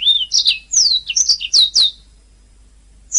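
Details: Canary master song for teaching singing canaries: a quick string of clear whistled notes sweeping downward, ending abruptly, followed by silence and one last note.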